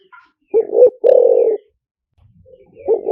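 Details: Decoy spotted dove in liu tan style: a double hooted note then a long, even, husky coo, with a quiet low murmur before the next phrase starts; a faint chirp at the start.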